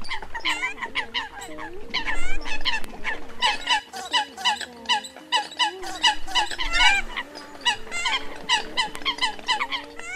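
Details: Flock of Eurasian coots (Fulica atra), migratory season 2020, gives dense, overlapping nasal honks and short squeaky notes, several each second, over a steady low hum.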